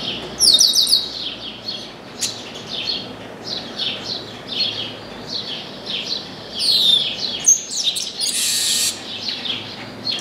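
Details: Chestnut-capped blackbird that landed in an orange tree and sang at length while people worked nearby: high descending whistled slurs and buzzy notes repeating over a steady chatter of chirps, with bright bursts of rasping noise.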